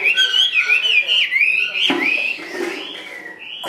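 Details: Chinese hwamei kept in a carried cage, delivering loud looping whistled phrases with quick up-and-down slurs, then a softer, lower stretch before a final rising note.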